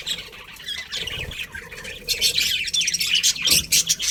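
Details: Budgerigar colony with a breeding pair in a busy chorus of high twittering and squeaky chirps, quieter at first and then swelling into louder, denser chatter in the second half.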